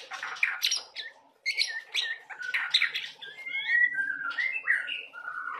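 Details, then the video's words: Young speckled oriental magpie-robin singing a prolific, varied 'gacor' song. Harsh scratchy chatter bursts give way to clear whistled slurs and falling notes, packed closely together. "murai trotol gacor"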